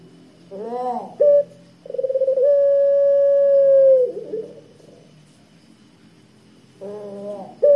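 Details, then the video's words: Pelung Barbary dove, a lure bird for attracting doves, delivering its deep drawn-out 'kwook': short wavering notes, then a buzzy pulsed start that smooths into a steady tone lasting about two seconds before falling away. "puter pelung suara tebal kwook panjang 100% ampuh buat pancingan puter pelung"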